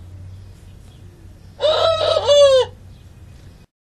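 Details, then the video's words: Domestic rooster, one of two, a red bird and a speckled bird, crowing once: a single crow of about one second in three slightly separated parts, the last falling at its end, over a low steady hum. "dos gallos cantando"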